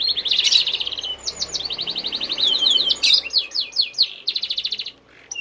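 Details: Canary singing vigorously: long high trills of rapidly repeated notes alternating with sharp chirps and whistled slurs, phrases broken by short pauses, over a steady background hiss.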